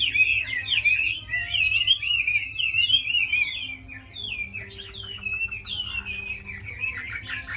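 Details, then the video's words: Caged tame Chinese hwamei, a bird noted for fighting and singing well, producing a loud, twisting warble of quick slurred whistles, easing into quieter, spaced phrases after four seconds. "Mi thuần đấu tốt hót hay"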